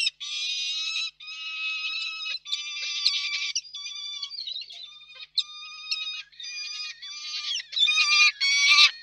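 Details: Nest of peregrine falcons in Reda, 4 May 2023, during a food handover between parents: a long run of grating, harmonic wails, some clipped and broken, rising to louder harsh screams near the end.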